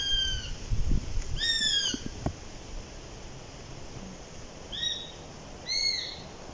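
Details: ['Eurasian sparrowhawk: high, arched whistled calls, two near the start and two near the end, with low thumps and handling knocks in between.']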